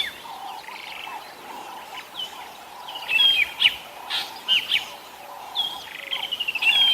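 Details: At sunset in January 2022, a drongo near its nest mobs a Wahlberg's eagle, likely to protect chicks or eggs, with harsh, scratchy chattering calls in quick bursts, loudest toward the end, over a steady wavering chorus of other birds.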